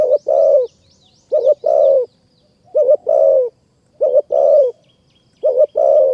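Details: Spotted dove in Kanchanaburi high forest, Thailand, singing during decoy trapping: steady rolling coos in short-short-long groups, each phrase roughly every 1.3 seconds, with faint high chirps from small birds above.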